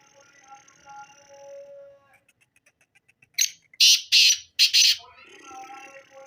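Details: Black francolin giving a harsh, rasping call of four loud notes. A short faint clicking run leads in, and soft whistles and chatter from other birds sound before and after.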